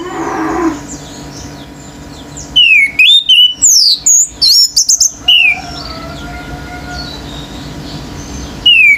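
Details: Orange-headed thrush, a pure male, in excited song intended to rouse other birds. After a quiet start comes a three-second burst of rapid, varied whistles, sharp slurs and high squeaky notes, then a softer lull and one final whistle.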